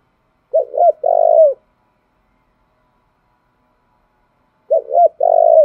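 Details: Spotted dove lure song for exciting new wild-caught birds: two identical phrases about four seconds apart. Each phrase has two short coos and then a long, rolling, falling note, with silence between the phrases.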